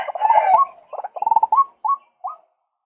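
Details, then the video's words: A male white-breasted waterhen croaks harshly on a bird-luring recording, a loud stuttering phrase breaking into short upslurred kwak notes that grow sparser toward the end. "เสียงนกกวักตัวผู้ รับประกันความหมาน"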